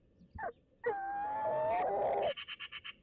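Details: Male and female tawny owls in a nest box in Toledo, Castilla-La Mancha, call to each other during courtship. A brief falling note leads into a sustained, wavering moan, then a quick run of six pulsed notes.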